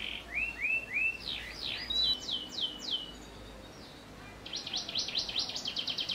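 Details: Canary with song filled with prenjak phrases, for training young canaries: upslurred arched notes, steep high sweeps, a brief thin whistle, a pause, then a fast pulsing trill.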